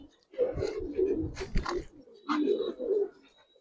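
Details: Loft-kept silver Budapest highflyer pigeons producing two long runs of low rolling coos, separated by clattering and rustling noises in an indoor space.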